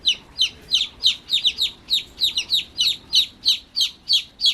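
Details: Newly hatched chickens cheeping loudly: clear, bright descending peeps, often doubled, repeated about three times a second against a quiet background.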